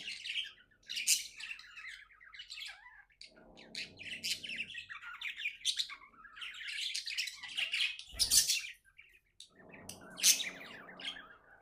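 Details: Happy budgies chirping indoors: a long run of scratchy warbles and sharp high chirps, occasional louder squawks, with patches of low murmuring and a brief thump midway.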